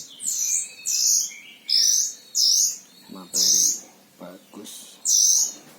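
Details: Caged oriental white-eye, called mantenan Himalaya, from Sragen, Central Java, Indonesia, kept as a tutor bird for training other songbirds; high, bright, slurred whistled notes of about half a second, repeated roughly every second, with soft male speech in between.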